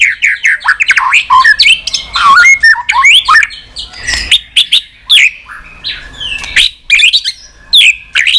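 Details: White-rumped shama in continuous 'tạch' song to stimulate weak birds: a busy stream of bright whistles, slurs and snapping notes in quick, uneven bursts with short gaps.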